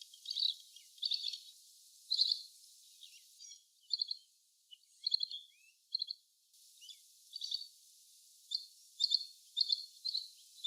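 Little green bee-eater giving high, thin trilled chirps in short bursts, repeated every half second to second, with faint background hiss.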